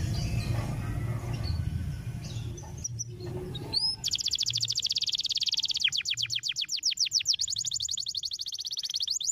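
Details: Canary song for stimulating others: after several seconds of low background noise, a long fast trill of high repeated sweeps, pausing briefly and continuing with similar rapid syllables.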